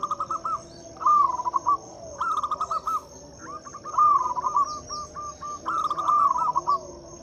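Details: Local zebra dove song meant to coax mute doves into singing: repeated brisk phrases of stuttering, bubbly coos, one after another with brief gaps, over a steady high-pitched background whine.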